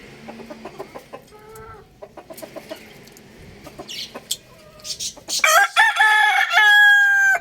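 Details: Several seconds of quiet, scattered clucking and chirping, then a young rooster bursts into a loud, harsh crow that holds a strained, drawn-out final note.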